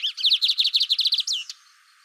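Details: Lined seedeater giving one brisk phrase of about a dozen evenly spaced high chirps, closing with a downward swept whistle.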